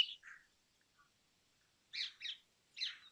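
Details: Brown rock chat (Indian chat), a bird of old buildings and rocky areas, giving brief chirped notes: a high note and a lower slurred one, then after a pause three quick harsh chirps in a cluster, clean background.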